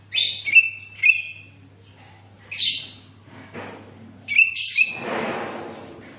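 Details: Lively Sooty-headed bulbul singing, offered as a tutor sound for other bulbuls: quick clear whistled chirps paired with harsh buzzy bursts in three bouts, ending with a longer noisy rasp that fades out.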